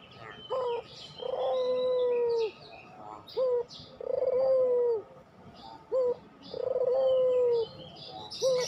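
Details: Pelung-type puter dove song for prompting other doves: short rising notes and long steady coos alternate in a regular cycle, three full rounds, against scattered thin chirps of other birds.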